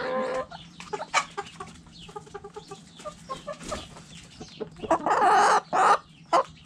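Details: Hens in a backyard chicken coop keep up a run of short clucks, then several loud, harsh, drawn-out squawks near the end.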